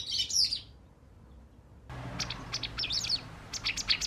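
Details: White wagtail at a balcony or garden; a burst of high chirps, a gap, then scattered short sharp notes and twitters over faint low hum.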